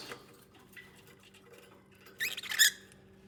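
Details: Lovebirds bonding and nesting indoors give a burst of shrill, squeaky, rapid chirps near the end, after faint scattered twitters and a low steady indoor hum.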